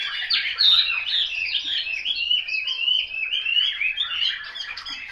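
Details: A Chinese hwamei pours out fast, tumbling song phrases, a mix of sweeping whistles and chattering slurs without a pause.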